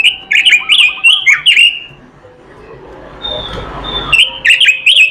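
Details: Robin song with filler phrases: fast sequences of bright, descending whistles and chirps, a gap filled with low rumbling background noise, then the loud whistled phrases resume.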